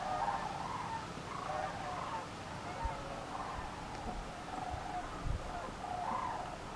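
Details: A large flock of sandhill cranes flying overhead on October 11, 2017, heard from a duck pen: overlapping rolling, trumpeting rattles in a steady chorus, with low thumps and background hiss.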